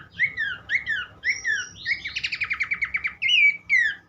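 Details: Repeated falling whistles from Horsfield's babbler lead into a long buzzy rattling trill of about fifteen notes, followed by two more clear slurred whistles; faint hum underneath.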